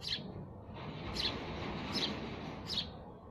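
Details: A sparrow gives four short, bright chirps spaced about two-thirds of a second apart, partly blurred by a steady, broad hiss of background noise.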